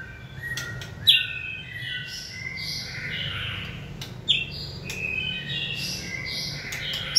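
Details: White-rumped shama in training, stimulated to sing: a quiet run of varied high whistled and chirped notes at irregular intervals, with two sharp clicks and a low background hum.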